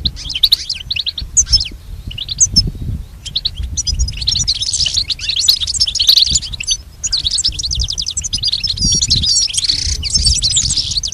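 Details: Training song for a pet goldfinch, a continuous run of high, bright chirps and jangling twitters, now sparse and now dense, with short buzzy notes mixed in and a soft low hum in the background.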